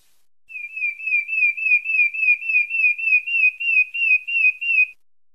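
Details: Pale-breasted thrush, Santa Fé in Bahia: a steady string of quick, slightly wavering whistles repeated about three times a second for over four seconds, even in pitch and loudness, with no other sounds.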